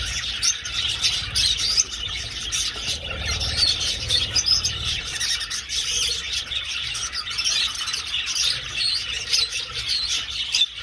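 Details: A flock of budgies dashing through an old aviary, lively chirps and warbled chatter mixed with soft wing flutters, ending with a sharp click.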